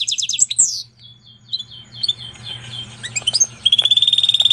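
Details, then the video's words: Canary and Portuguese goldfinch hybrid, bred from a female canary, singing: a fast chirping trill and downward slur, a softer scattered stretch, then a rapid repeated trill over a low hum. "Pintagol de canaria x pintassilgo português canta muito!"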